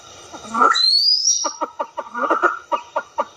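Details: Pheasant of Southeast Asia: a loud harsh outburst and a high rising whistle, then a rapid, rhythmic train of short pulsed notes, several per second.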